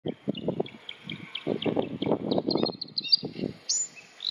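Bluethroat singing a varied string of high, thin notes that ends in a sharp rising whistle, over low, muffled thumping bursts.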